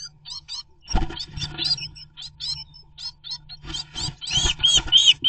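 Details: Two blue tits defend their nest site against a great tit; a series of short harsh churring notes, irregular, with thumps and scuffling of the fight and a brief clearer high call near the end.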